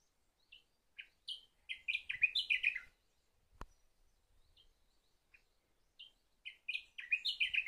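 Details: Sakhalin grasshopper warbler delivering short bursts of sharp, high chirping notes that rise into quick tumbling phrases, two phrases separated by a quiet gap, with a single click between them.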